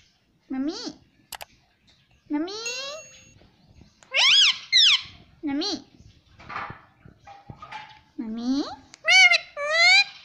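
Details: Pet green ring-necked parrot mimicking human words indoors: a string of short, bending, harmonic-rich syllables at irregular spacing, some higher and squeaky, with quiet gaps between phrases.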